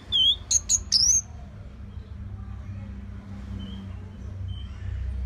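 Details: Orange-headed thrush song meant to coax other caged songbirds: a brief cluster of four loud sweeping whistles, then quiet with only faint distant notes and a low hum.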